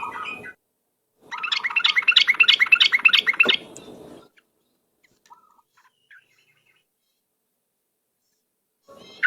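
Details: Yellow-vented bulbul lure recording, a dense two-second burst of rapid chattering notes followed by long near-silence with only faint chips, and a last short call at the end.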